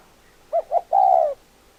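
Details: Spotted dove giving one cooing phrase: two short, soft hollow notes followed by a longer, steady drawn-out coo, in a quiet setting with nothing else heard.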